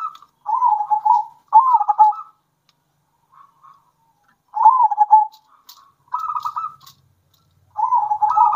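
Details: Zebra doves, local wild and captive-bred birds alternating, singing to stir other doves' excitement and breeding drive: repeated phrases of trilled, bubbling coos, each under a second, separated by short quiet gaps.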